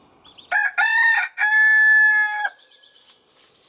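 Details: Crowing rooster of the Marans breed: a clipped opening syllable followed by a drawn-out, rich harmonic tone of about a second, then faint chirping from small birds in the background.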